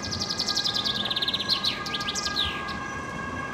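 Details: Common chaffinch singing at Södermalm in Stockholm: rapid repeated high notes accelerating into a rattle, then slurred descending phrases and a final flourish, against steady urban drone and tonal hum.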